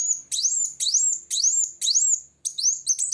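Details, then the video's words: Olive-backed sunbird singing to challenge a rival, with loud, clear, high upslurred whistles repeated about twice each second, ending in quicker buzzy notes. "Kolibri Wulung Gacor Cari Lawan"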